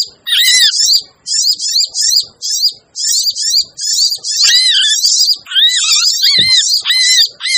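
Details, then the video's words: Noisy crimson sunbird chatter for luring hard-to-catch birds: a fast run of high, metallic twitters in short bursts, with down-curving lower notes appearing mainly in the later phrases. "suara pikat burung sogon ribut!"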